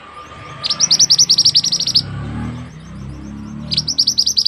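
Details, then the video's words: Mantenan bird, a strong singer kept for tutoring other birds, giving fast trains of sharp, high chipping notes, about seven per second. A burst lasts over a second, then a pause and a new burst. Low background hum throughout. "burung mantenan yang handal untuk masteran"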